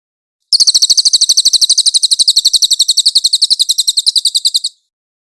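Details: White-eye singing a clear tutor phrase for songbird training: an unbroken run of about four seconds of rapid, piercing high chirps, roughly ten per second, steady in pitch and loudness, in silence otherwise.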